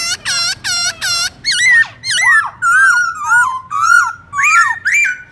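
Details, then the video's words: Black-throated laughingthrush singing its morning forest-style song (giọng rừng), played to train young birds: four rapid ringing harmonic notes, then a string of loud slurred whistles rising and falling, about two per second. "Khướu bạc má hót giọng rừng Đảo giọng buổi sáng cực hay"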